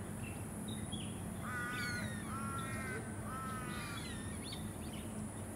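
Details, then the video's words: Forest kingfisher recorded on Queensland's Sunshine Coast in February 2024, uttering three drawn-out, grating, harmonic calls in quick succession, each slightly falling, against a steady high-pitched hiss and low-frequency background noise. "Forest Kingfisher"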